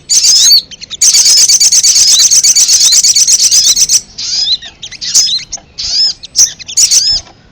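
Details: Ruby-cheeked sunbird lure sound to attract wild birds: a three-second high rapid trill of thin chips, then short separate bursts of squeaky twittering notes.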